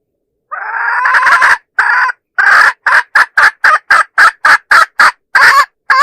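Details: Decoy hen calling roosters: a long harsh drawn note, then a regular string of short grating cackles, closing with a slightly longer note.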